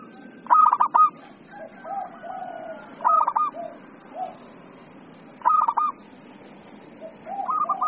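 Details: Local zebra dove in eager song: three loud stuttering coo phrases about two and a half seconds apart, each trailed by softer, lower gliding coos.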